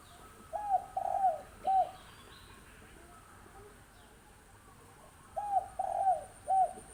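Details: Young wild spotted dove, six months old, cooing: a phrase of three soft rounded coos, the middle one longer, given twice about five seconds apart over a steady background hiss.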